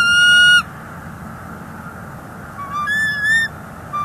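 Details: Bald eagle at a NEFL nest, January 30, 2024, with an intruder eagle present: one long bright whistled note, a pause, then a cluster of shorter notes stepping up in pitch, and a final brief note.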